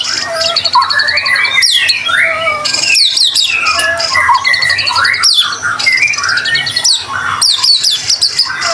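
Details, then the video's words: White-rumped shama singing as a lure to start other shamas singing: harsh scratchy notes and sharp downward sweeps alternate with buzzy trills and short whistles, in rapid continuous phrases. "Murai batu gacor AMPUH buat PANCINGAN murai batu agar bunyi LANGSUNG NGEPLONG"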